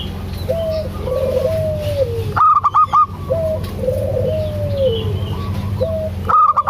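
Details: A vocal local zebra dove, recorded to coax silent doves into calling, repeats its coo: a short clear note, then a longer rolling, bubbling phrase that drops away. A brief burst of harsh, rapid honking notes cuts in twice.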